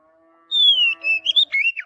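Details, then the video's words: Oriental magpie-robin singing in forest: a long descending whistle, then level and rising notes ending in quick slurred phrases, over a faint steady low hum. "Kicauan Kacer Alami Di Hutan"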